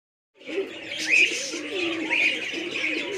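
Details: Pigeons kept at a hobby farm, five pairs offered for sale: low, rounded coos that rise and fall in short arcs, repeating through the clip under constant high, busy chirping from other birds.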